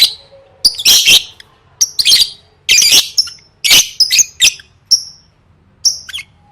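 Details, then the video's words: Lovebird singing for competition practice: loud bursts of harsh chatter alternating with thin, sharp high whistled notes, phrases separated by short silences. "Suara Burung Lovebird III Latihan Gacor Gantang Siap Juara"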